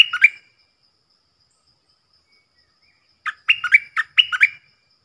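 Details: Stripe-throated bulbul decoy, recorded for young birds to sing along and to draw in wild birds; a brief chirpy phrase, nearly three seconds of silence, then a rapid run of bubbling notes.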